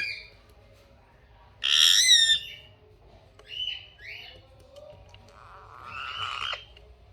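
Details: Captive rose-ringed parakeet, a talking pet bird. A loud, raspy screech lasting about half a second is followed by brief whistled chirps and a longer, lower, buzzy call toward the end.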